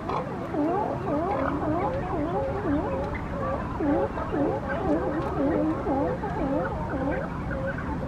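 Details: Brandt's Cormorants at a nesting colony on a Coast Guard jetty, with hatchlings, giving a steady chorus of low, gargling croaks, about two a second, with many birds overlapping.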